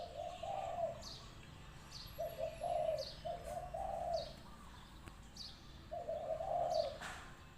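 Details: Spotted dove decoy bird, lively, sings a series of low rolling coo phrases separated by short silences, with thin high chirps and twitters of other small birds scattered over an outdoor backdrop.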